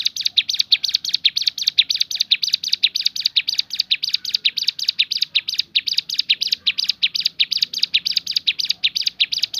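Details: Bar-winged prinia singing in the 'tembakan' variation: rasping, scratchy notes delivered in a fast, slightly uneven series, continuing without pause throughout.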